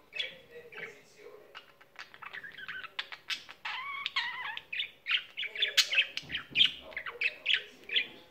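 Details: Budgerigar kept as a pet, singing on and on: soft twitters at first, then a busy run of clicks, wavering whistled notes and rapid chirps growing louder toward the end.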